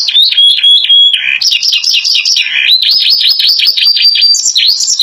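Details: Canary song with imitated phrases of ciblek and glatik: loud, high whistled notes, a short steady phrase, then rapid repeated buzzy rolls rising and falling, ending in a fast run of bright trilled notes, continuous throughout.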